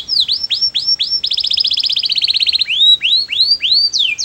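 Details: Canary in melodious song meant to prompt others to join. Looping downward whistles frame a dense rattling trill, then sweeping arched notes repeat about every half second.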